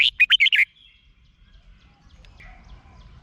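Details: Red-whiskered bulbul from Thailand, a song played to make caged birds lively: a single quick burst of five liquid, chirpy notes, then near silence with faint distant twittering and low rumble.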